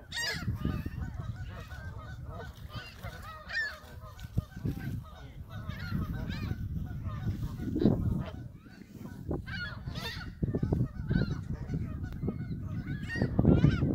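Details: Canada geese at Hawreluk Park Lake giving frequent nasal honks, overlapping and irregular, several birds calling at once, over a steady low rumble throughout.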